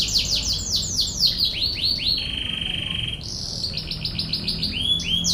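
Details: Canary song used as tutoring material, in the rapid-fire "tembakan ngebren" style: dense high rolling trills of falling sweeps, a long steady buzzing note in the middle, then more fast rattling rolls; low background rumble.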